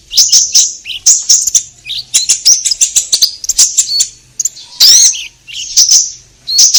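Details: Orange-headed thrush song played to prompt caged birds to sing: a rapid, varied run of high twittering and whistled notes, dense and continuous, with sharp chirps and a louder slurred phrase near the end.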